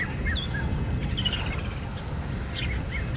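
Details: Several red-winged pratincoles, a species only recently seen regularly, at a dam in Djuma Game Reserve, South Africa, on a sunset drive, January 23, 2017, give short sharp overlapping chirps over wind and engine noise.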